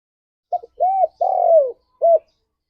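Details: One mellow cooing phrase from a spotted dove, used as a morning lure for mating readiness: short doubled note, rounded coo, long coo sliding downward, then a brief coo, with nothing else heard.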